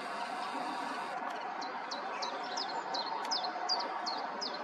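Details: Common chiffchaff singing from a rooftop aerial at Summerleaze: a series of sharp, high, downslurred chip notes repeated about two or three per second, starting after a second of broadband hiss, over steady background noise.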